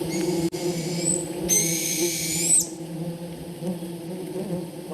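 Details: Northern Hawk Owl chicks in an Alaskan mosquito-filled bog in July, begging their parent for food: a harsh, hissing screech of about a second ending in a thin rising whistle, over a steady low hum.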